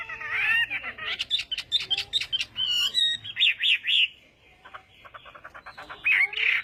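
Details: Chinese hwamei during morning voice practice: rich, varied whistles and fluty phrases with sharp clicks mixed in, a short pause, then softer rapid notes and a final loud whistled phrase.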